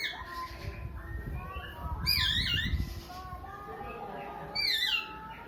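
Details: Oriental magpie-robin making a crying, sobbing sound: two loud, harsh downslurred wails with strong overtones about two and a half seconds apart, and low rumbling noise during the first one.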